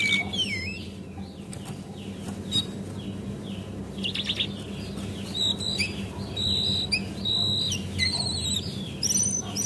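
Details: Lure call of a female Javan white-eye played to set other birds singing: thin high twittering and slurred whistles, sparse at first, then fuller repeated notes near the end over a noisy low background.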